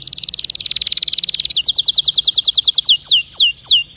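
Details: Singing canary. A rapid steady trill gradually slows into separate, sharply falling slurred notes, each longer and more spaced than the last.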